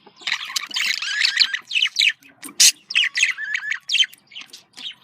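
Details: Budgerigar contact calls, said to make a bird feel happy: rapid chirpy, scratchy warbling notes with short squeaks and clicks, delivered in uneven bursts.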